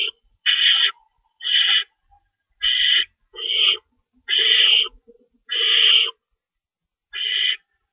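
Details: At 3:53 AM on March 25, 2012, at an owl nest at feeding time, an adult stays in to tear up one of two stored rabbits; seven grating, breathy screeches in an irregular series.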